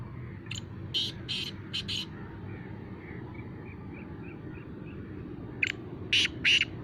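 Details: Black francolin calling in Khushab: short harsh grating notes in two groups, one near the start and one near the end, over steady low broadband noise and faint soft chirps in between.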